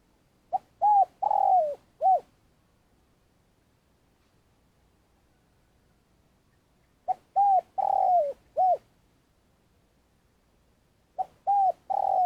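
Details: Spotted dove decoy from Vietnam used to lure wild doves into traps, long calling: four-note phrases repeated about every five seconds, each a short note, a coo, a long descending croon and a final coo.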